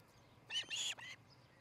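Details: Shrill, high whistled chirps from an osprey at its nest in Charlo, Montana, on a July 2018 morning. A short cluster of three piercing notes comes in under a second, with faint rural background noise.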